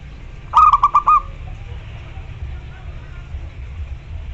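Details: Local zebra dove calling a rival: a brief burst of five rapid low cooing pulses near the start, followed by several seconds of quiet background hum.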